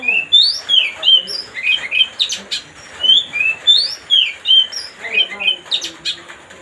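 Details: White-rumped shama (kacer) song played to provoke another bird into agitation: rapid, varied run of clear whistled and slurred notes, some rising and falling sharply, delivered in dense bursts with brief pauses, plus a few harsher chattering notes.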